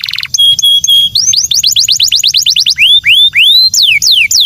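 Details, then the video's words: Canary singing loudly: a few steady pure tones, then a quick run of rising chirps at about four per second, slowing into broader drooping whistled sweeps. "Kicauan kenari super"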